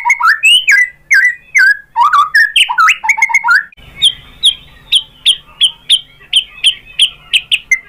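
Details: White-rumped shama song as a lure to provoke rivals: varied loud whistled and squawky phrases, then an evenly spaced series of high sharp notes about two per second over a faint hiss.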